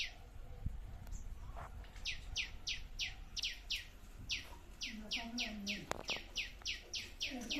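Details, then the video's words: Bird in a small food forest garden chirping in quick downward-sliding notes, grouped in runs of several. Scattered clicks, knocks and faint low voices sound in the background. "Sounds of Birds in our Mini Food Forest"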